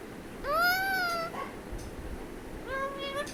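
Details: Parrot talking, calling mummy for roti: one drawn-out, arching word-like call, then a quieter, shorter rising utterance after a pause, over a soft background hiss.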